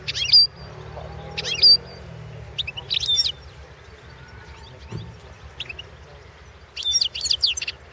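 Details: European goldfinch song recorded as a competition entry for the 2016 World Championship in Goldfinch Song: short bright twittering bursts of high notes at irregular intervals, with low background hum throughout.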